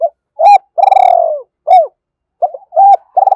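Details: Spotted dove in the 'thổ' voice style, calling to rouse a decoy: a run of loud, low, hollow coos, some short and rounded, one long and throbbing, with brief pauses.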